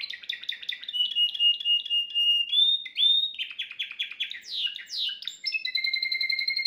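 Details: Timbrado canary, a household's best singer, recorded indoors the day before, flawless song for teaching young canaries: rapid repeated chirping notes, a sustained flat whistle, then rising and falling sweeps ending in a steady two-tone trill.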